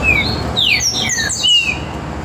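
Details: Great saltator (trinca-ferro) singing in a warm-up session alongside another bird: loud, slurred whistles that fall steeply in pitch and overlap in quick succession, over a low background hum.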